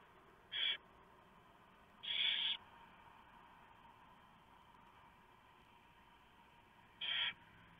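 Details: Barn owls at a nest at 3:59 AM, November 3, 2015; the male brings a huge mouse and the female tears it up for the owlets. A short rasp, then a longer hiss, a long pause, and a third brief rasp.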